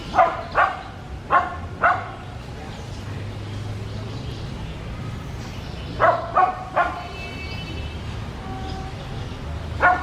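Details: A macaw tucked among branches gives raspy squawks in quick pairs, two pairs at first, then a long quiet gap, then another pair and a last single call, over a low background hum.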